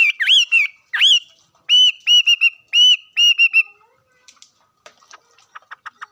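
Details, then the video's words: Bird singing loud, clear whistled notes. Two rising-falling slurred phrases, then a run of sharp repeated notes in quick bursts, followed by softer short chirps and clicks near the end. "Coob quaj zoo heev li"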